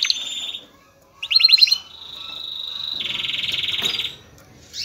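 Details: Excited male canary singing to stimulate females to mate: varied phrases, with a short trill, a rolling burst of slurred notes, a steady whistle-like tone, then a buzzier trill fading out.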